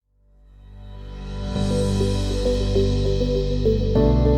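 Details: Electronic ambient music fades in, then settles into sustained synth chords under a repeating plucked melody; no animal sound.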